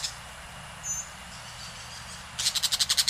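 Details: Orange-chinned parakeet in Costa Rica: a fast burst of about eight harsh, high chattering notes near the end, after a quiet stretch with faint thin whistles from other birds.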